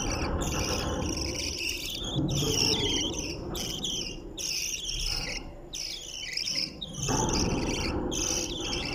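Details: Australian budgerigars about to come out of a nest box chatter nonstop in a dense mix of high warbles, chirps and squeaky twitters over a low rumble.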